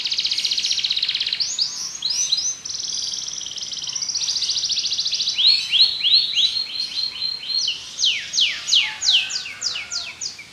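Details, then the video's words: Long varied song from a Belgian canary: buzzy trills, a run of arched whistled notes, then steep descending sweeps repeated in quick succession. "Canário Belga cantando"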